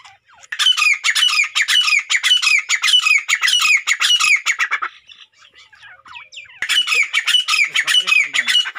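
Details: Grey francolin male calling to show his power to a female: loud, harsh, rapidly repeated high notes in a dense rhythmic series lasting about four seconds, a short pause, then the series starts again.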